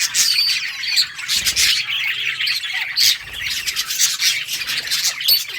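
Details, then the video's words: Many budgies chattering at play, harsh squawky chirps and buzzy warbles overlapping in a continuous flock noise, with faint soft thumps in the background. "budgies beautiful colors playing and chirping sounds for lonely birds"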